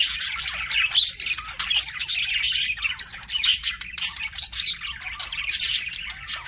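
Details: Chirping pet budgies: bright, quick tweets and warbles in pulsing bursts about once per second, interspersed with short squawks, several birds together.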